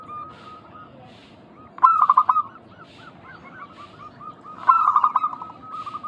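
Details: Zebra doves, local birds, calling on a lure track to prompt other doves to reply: faint soft coos, then two strong bursts of fast stuttered notes followed by evenly spaced cooing.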